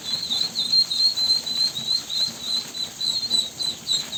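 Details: Sharp, high peeps from ducklings, short bright whistles repeated about three per second in uneven bursts, with quiet low background sounds.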